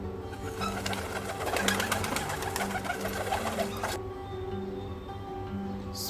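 A dove gives low, soft hooting coos in short repeated phrases, over a busy musical background and some room noise.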